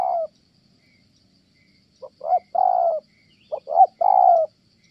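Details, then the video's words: Spotted dove from Kon Tum, Vietnam, kept for trapping and valued for its fine tone, cooing: two brief clipped notes lead into a sustained, gently falling coo, the phrase given twice against a quiet background. "Thổ Âm Tốt, đang gù ngon thì mái phá đám"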